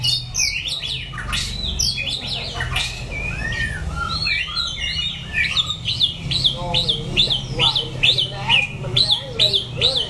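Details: White-rumped shama singing in Dak Lak, September 2015: varied high whistled phrases and sweeps, then a rapid run of repeated sharp notes about every half second, with low rumbling background noise and faint voices.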